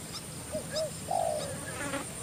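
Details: Spotted Dove, a wild bird drawn down to a decoy and about to fight it, cooing: two brief rounded notes followed by a longer, stronger downward-sliding coo, over faint steady hiss.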